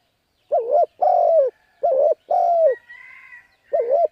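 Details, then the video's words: Spotted dove call for luring wild birds. Three paired coos, a quick quavering note then a drawn-out falling one, with a thin steady whistled tone sounding briefly between phrases. "Cu Gáy Thúc Gù Gáy Cực Phê Kích Mồi Tập Bổi Quá Hay"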